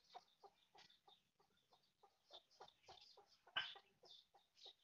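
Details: Mother hen foraging, giving short, low clucks at a steady rhythm of roughly three per second, with thin, high cheeping notes above and one louder squawk near the end.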